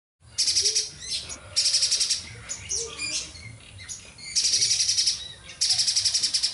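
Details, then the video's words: Mountain spiderhunter singing vigorously: loud, high, rapidly pulsed bursts, each lasting about a second, repeated four times with softer chirps and short notes in between; quiet background. "Burung Pijantung Gunung gacor"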